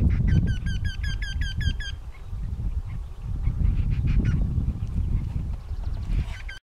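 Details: A Eurasian wryneck gives spring mating-season cries, a quick run of about eight nasal, ringing 'kyee' notes, roughly four per second, over a deep wind-like rumble; faint calls follow later.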